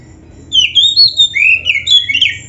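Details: Oriental magpie-robin song, rich and varied, used for training: a long, slurred high whistle that bends up and down, followed by buzzier, falling phrases and a quick closing flourish.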